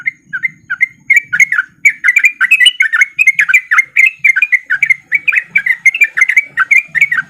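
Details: Sooty-headed bulbul song used as a lure so that lazy bulbuls start singing too: lively, bubbly phrases of short warbled notes, rising and falling, repeated in quick succession with a faint low murmur beneath.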